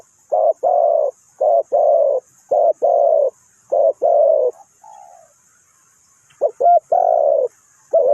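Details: Spotted dove used as a decoy bird for trapping, Ninh Thuận: deep, hoarse coos in short-then-long pairs, repeated in a steady run with brief gaps, a few higher clipped notes near the end, faint high hiss behind.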